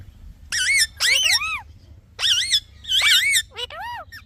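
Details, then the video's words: Talking parrot with a few loud, drawn-out chirps, each a wavering whistle that bends up and down over about half a second, separated by short silences; quiet hum underneath. "Talking Parrot Chirping Sounds"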